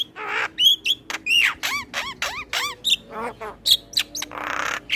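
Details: Male Javan myna singing a full, varied song meant as a tutor recording for other mynas: harsh rasping bursts alternate with bright whistled notes and sharp descending chips, delivered in quick uneven runs.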